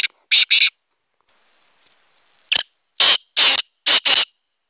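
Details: Black francolin calling, recorded 25 July 2020: harsh, grating, loud bursts, first a quick pair of notes, then after a pause a faint buzzy hiss and a clipped series of four to five rasping notes.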